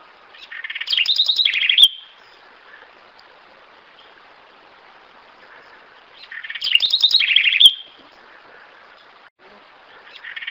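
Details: Corruíra (house wren) song in two quick bubbling, trilled phrases about five seconds apart. Each phrase climbs from a scratchy chatter to rapid bright notes and ends with a sharp accent, over a faint steady background hiss.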